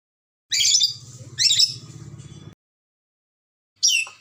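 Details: Red lory of Ambon, a vocal bird: two loud rasping screeches, each fading into a buzzy grating trail, then a pause and a third sharp squawk, with a faint low hum beneath.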